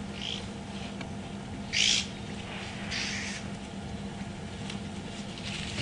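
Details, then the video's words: Oxpeckers arrive at a herd of bulls resting in the morning heat at Djuma Game Reserve, South Africa, June 15, giving a few short, hissing, buzzy calls over a low steady safari-vehicle engine hum. "you can hear the oxpeckers coming in."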